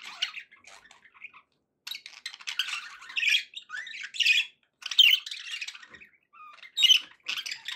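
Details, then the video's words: Pet budgerigar song indoors, irregular bursts of raspy chatter and thin squeaks separated by short silences, about thirty per minute. "budgie sounds to encourage your parrot to eat and sing"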